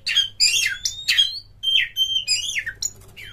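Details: Oriental magpie-robin (kacer) in a high-emotion lure song: separate loud whistled notes, some sliding down, others level and clear, mixed with short harsh squeaks and gaps between phrases.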